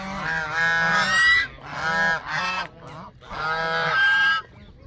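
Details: Loud Canada goose honking in three bursts of clustered, strongly harmonic calls, separated by brief quieter gaps.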